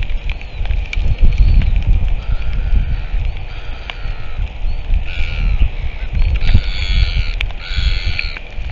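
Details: Northern royal albatross calling, recorded 17 March 2023: harsh, harmonic braying notes stand out in the second half, set against loud, continuous wind rumble.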